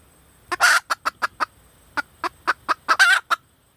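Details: Female red junglefowl calling for a mate: rapid short clucks delivered in runs, opened and closed by two longer, coarse, rasping squawks.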